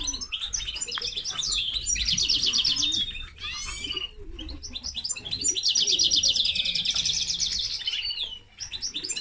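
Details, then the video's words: Common linnet x canary hybrid pours out bright, rapid trills, roughly three notes a second in rolling runs, interspersed with downward-sweeping whistles and sharp chips. "Mixto de pardillo y canaria - هجين طائر التفاحي مع الكنار"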